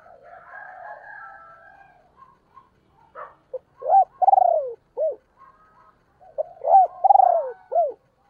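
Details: Female spotted dove kept as a decoy bird, calling to stir up wild doves: two coo phrases, each a few short notes, a long pulsed throaty coo, then a falling final note, with soft murmuring between phrases.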